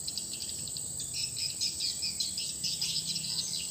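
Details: Lure call for swiftlets in a bird house, recently swapped for a new one: quiet opening, then quick chattering high chirps in uneven clusters over a constant high tone.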